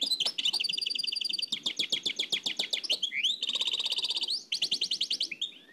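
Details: Oued El Alaiq style nightingale singing, dubbed from an old cassette tape: rapid strings of sharp repeated notes, a rising slurred whistle near three seconds, then dense high trills in quick succession.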